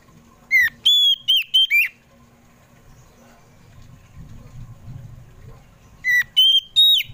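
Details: Kacer poci, an Oriental magpie-robin, in afternoon song used as a lure for household pet birds: a burst of bright slurred whistles, a pause with faint low hum, then another whistled phrase starting.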